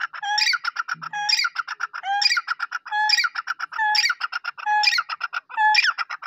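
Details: Black francolin from Pakistan calling: a loud, grating phrase that opens with a low harmonic note, then climbs into buzzy rising notes and a stutter of clicks. The phrase repeats about once a second in a steady rhythm with no other sounds.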